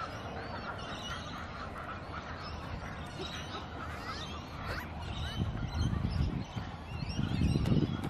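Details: Arguing Australian wood ducks in suburban Melbourne, Victoria, Australia, giving rapid, irregular nasal calls that crowd together, with louder low rumbling bursts toward the end and a constant background hum.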